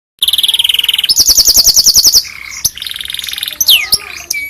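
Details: Canary song used to tutor other canaries: a rapid high buzzy trill, then a faster pulsing trill of about twenty notes, a short low-pitched roll and a few sharp downward slurred whistles.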